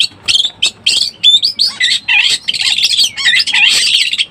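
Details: Breeding-condition Oriental magpie-robin played to lure birds: bright whistled phrases and rising slurs, followed by a dense, scratchy, chattering stretch of overlapping high notes with short dips of lower whistles.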